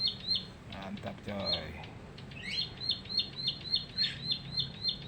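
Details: Newly caught bar-winged prinia, caged for three weeks, singing in its cage: a steady series of sharp, high, clipped notes repeated several times a second, with a person talking briefly near the start.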